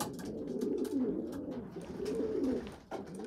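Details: Young pigeons as a small, poorly developed female feeds bigger, well-developed youngsters; low, throaty murmuring calls come in two swelling bursts with soft, rough rumbling between them.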